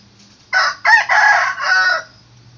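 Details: A single morning rooster crow, loud and raspy, rising through a short opening note into a long wavering final syllable, against a steady low drone.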